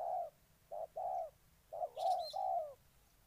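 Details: Spotted dove in Ninh Thuận, Vietnam giving two sets of low hollow coos, each a short note leading into longer drawn notes, while a small bird chirps briefly overhead.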